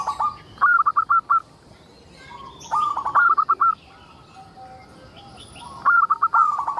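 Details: A local zebra dove in frequent song, meant to entice others of its kind to sing. Around five fast, stuttered cooing phrases, each a run of short bright notes. Quieter coos sound in between, with faint high chirps behind.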